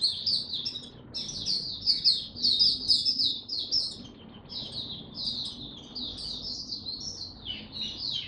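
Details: Oriental white-eye delivering its tiong aw song, recorded 25 January 2022 after sleeping late; bright, high twittered phrases in quick bursts, loudest early on, with a few falling slurred notes near the end.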